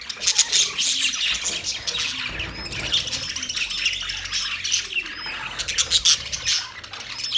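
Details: Budgies chirping in a constant overlapping chatter of high, buzzy twitters and squawks, with occasional clear arched whistle notes standing out above the flock.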